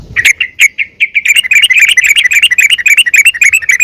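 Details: A few spaced chirps, then a rapid, bubbling run of sharp notes that speeds into continuous chatter. A female yellow-vented bulbul calls to draw other bulbuls into frequent song.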